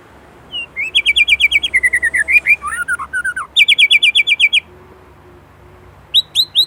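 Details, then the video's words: White-rumped shama from Indonesia singing a loud, rich phrase: rapid trains of sharp repeated notes near the top of the range, a lower warbled twist, then another fast rattling series and three short whistled notes at the end. "Murai Gacor isian Gurih"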